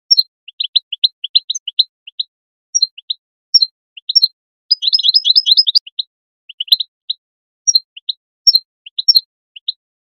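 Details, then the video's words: European goldfinch calling song used to stimulate and motivate goldfinches to sing: quick, bright tinkling call notes in short bursts, with a dense twittering flurry midway. "chant d'appel chardonneret l أروع بتبتة لتحفيز الحسون"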